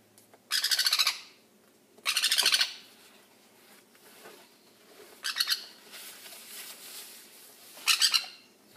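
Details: A baby sun conure lets out harsh, raspy squawks in four short bursts spread over about eight seconds, with quiet hiss between them.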